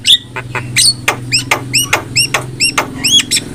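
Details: Black-winged myna singing as a training model for other mynas: a quick series of short upward-curving whistled chirps and clicks repeated about three per second, over a steady low hum.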